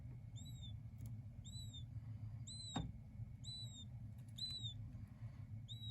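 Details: Young king quail chicks giving about seven high, clear, arching peeps spaced roughly a second apart, with a single sharp click in the middle and a low background hum.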